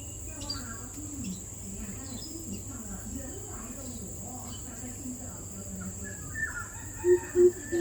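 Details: On 4 August 2022, a greater coucal gives three deep, hollow hoots, evenly spaced near the end, over a steady high insect drone, low hum and faint murmuring voices.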